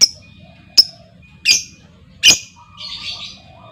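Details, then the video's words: Female lovebird calling as a lure to set other lovebirds trilling: four sharp, high, shrill chirps about a second apart, then a soft, rough, buzzy chatter, over a faint steady electronic tone and low hum. "SUARA PANCING LOVEBIRD BETINA, LOVEBIRD LAIN LANGSUNG NGEKEK PANJANG Dengan Suara Lovebird Memanggil"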